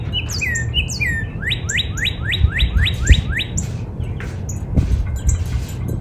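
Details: Northern cardinal singing in a spring backyard: a few downslurred whistles, then a run of about seven quick rising whistled notes repeated steadily, with thin high chirps of other birds and low background rumble.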